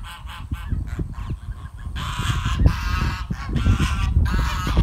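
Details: Geese running and flapping toward their dinner; after a quieter start with thumps and scattered honks, a loud chorus of harsh, overlapping honks breaks out and continues in rapid bursts, mixed with heavy low flapping and trampling sounds.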